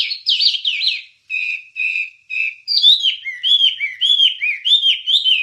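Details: Recorded wambie song for training songbirds. Fast tumbling warbles give way to four short buzzy notes, then a string of repeated, rising-and-falling whistled phrases about twice a second.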